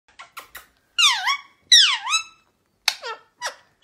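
Rose-ringed parakeets give harsh, shrill screeches, two long sweeping screams followed by shorter squawks, with a few quick clicks at the start.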